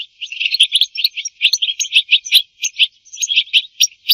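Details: European goldfinch song for mating and teaching goldfinches: a rapid, continuous stream of scratchy, tinkling chirps and twitters in short bursts, clean background.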